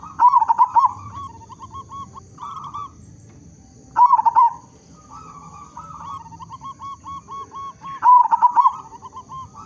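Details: Local zebra dove with a loud, big voice, used as a lure to get other zebra doves singing: three strong bursts of bubbling, staccato coos about four seconds apart, each trailed by softer rolling, purring notes.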